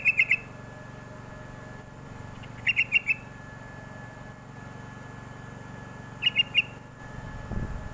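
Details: Sooty-headed bulbul lure call meant to draw replies from young birds: three short clusters of sharp chirps spaced a few seconds apart over a constant low background hum.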